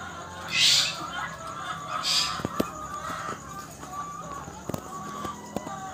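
Lady Amherst's pheasant gives two harsh, high, hissing rasps about a second and a half apart, with faint background chatter and sharp clicks.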